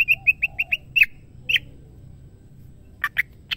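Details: Female white-rumped shama calling a male: a quick series of seven short, bright chirping notes evenly spaced in the first second, a louder squawky note, then a pause and a few harsh, broad chirps near the end, over faint low hum.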